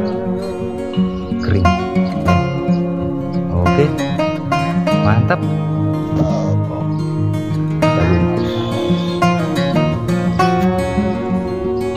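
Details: Guitar-like stringed music with dense harmonic chords and a voice beneath it, with no animal sound standing out.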